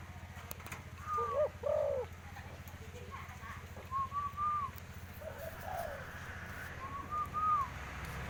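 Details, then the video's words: Tame spotted dove playing with a person's hand, giving short paired low coos in three bursts, each group paired with a higher arched whistled note, over a steady low background hum. "bunyi burung tekukur"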